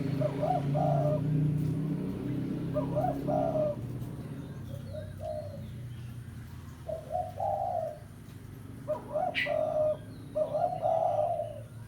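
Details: Tekukur, or spotted dove, 'pesom' lure call used to summon a rival: short groups of soft coos separated by gaps, over a steady low rumble, with one brief sharp high note near the end.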